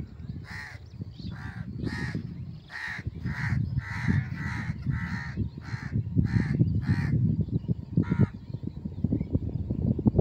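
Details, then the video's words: Crow giving a series of harsh, hoarse caws, about ten in quick succession roughly every half to three-quarter second, then a pause and one last caw, over a steady low rumble of background noise. "কাকের ডাক"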